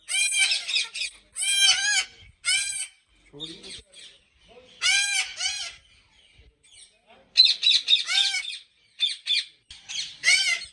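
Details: Ringneck parrots at a large breeding farm in Pakistan, giving harsh, ringing squawk bursts in rapid clusters separated by short pauses, with a faint low voice in the background.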